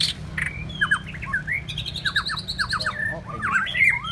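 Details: White-rumped shama singing a rich, varied song of clear whistled slurs, rapid rising and falling notes and short repeated phrases, over a steady low hum.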